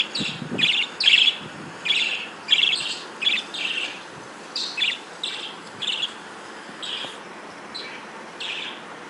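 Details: Budgerigars at breeding time give a steady series of brief, high, scratchy chirps about every half second, loud at first and gradually softer, with a low hiss behind.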